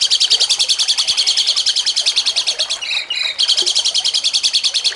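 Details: Grey-cheeked bulbul (cucak cungkok) song, jengking munting style, a training recording for songbird contests: a dense, shrill pulsed trill broken midway by a brief, slightly lower buzzy phrase before resuming.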